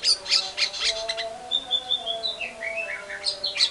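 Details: Energetic white-rumped shama song used as a lure: harsh rasping bursts open, then a long level whistle followed by falling and rising whistled phrases, with a faint constant hum beneath.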